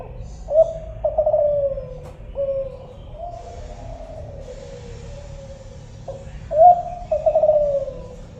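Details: Spotted dove of the Kelantan type, known locally as tekukur, giving soft low coos. The notes rise and then fall, arranged in phrases across about eight seconds, with a faint low hum behind them.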